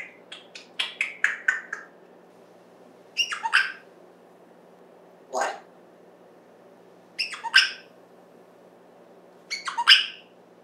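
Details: Pet African grey parrot talking indoors: rapid chattering strings of clipped syllables, then separated word-like bursts every couple of seconds, with one lower voiced sound in the middle.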